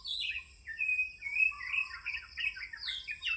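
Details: Oriental magpie-robin singing in the morning: a varied flow of warbled, slurred whistles rising and falling, with a steady high whine and faint low rumble in the background.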